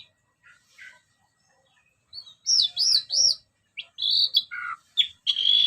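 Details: Orange-headed thrush ngeplong song used as a lure: soft notes, then loud arched whistles repeated three times, followed by varied piercing whistled phrases and a sustained high note, with faint low background rumbling.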